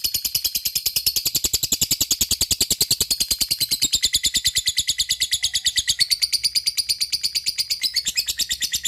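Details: Lovebird in ngetik and ngekek mode, calling its companions: a long, relentless trill of piercing high clicks repeated several times per second, keeping a steady tempo with small shifts in pitch.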